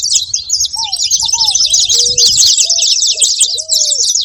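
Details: Saffron finches making noise, a busy stream of high, sharp chirps, with several low, drawn-out, gently curving whistles in sequence underneath.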